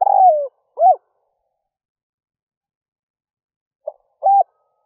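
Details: Spotted dove used as a lure for wild doves, cooing early in the morning; the end of a phrase with a long falling coo and short note, a pause, then a soft note and another hollow coo.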